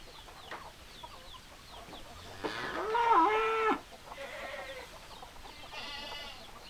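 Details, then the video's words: Chicken crowing, a single drawn-out call about a second and a half long that rises, holds steady and ends abruptly. Softer noises come before it and another hoarse call follows near the end, over steady background hiss. "Chicken Sounds Noises Hens Clucking Roosters Crowing"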